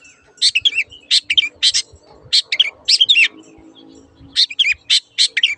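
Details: Long-tailed shrike master recording meant to restart song in silent caged birds or those with new owners: three groups of loud, scratchy, chattering notes mixed with short whistled slurs, separated by brief quiet gaps.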